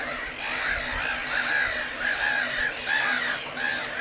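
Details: Black-headed Gulls at a breeding colony on Lake Hornborga, a Great Crested Grebe pair nesting nearby: harsh, grating calls sounding in overlapping bursts roughly every second, several birds calling together in a loud, continuous chorus.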